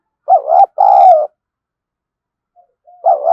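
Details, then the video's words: Decoy spotted dove in the thổ sấm voice style, used to lure wild doves: a two-part low coo, first note wavering and second long and steady, then faint soft notes and another coo starting. "Chim Cu Mồi_cu gay kich boi nhanh noi gù"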